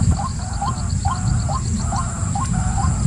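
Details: White-breasted waterhen giving short hooked notes about twice per second, while a thin, high, rapidly pulsing series runs steadily in the background over low rumble.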